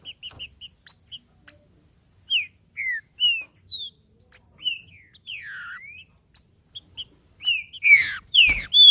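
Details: Green-winged saltator 'macheando' song to warm up a male: scattered short whistles, some falling and some rising, mixed with brief high chips, growing denser and louder near the end.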